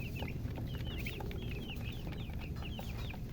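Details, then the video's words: Chicken chirping as clear, slurred high peeps, often in twos, repeated every fraction of a second over a rumbling, hissy background. "silly chicken chirping sounds with murgi hen color chicken"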